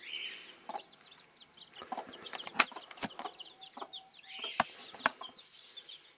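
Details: Bantam broody hen with her chicks; short low clucks from the hen scattered through dense, high, thin peeping of many chicks, with a few louder sharp clucks and a brief flurry near the start.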